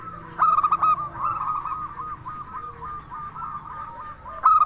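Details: Local zebra dove from Indonesia singing energetically as a lure for other doves. A loud staccato burst opens, softer rolling coos follow, and a second sharp burst comes at the very end.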